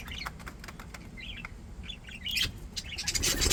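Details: Contented pet budgies chirp in a quick series of short, bright warbling notes, rising to a louder flurry with a burst of fluttering at the end.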